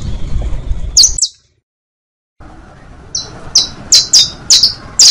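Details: Saffron finch (canario) song for teaching young birds: a couple of sharp high notes, then a second of silence, followed by a quickening run of bright downslurred chips over low noise.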